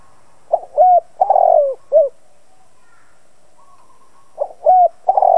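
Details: Captive decoy spotted dove cooing to excite other doves into answering. Two phrases of quick note, clear coo and long rolling coo, with a short closing coo after the first, separated by a pause of about two seconds.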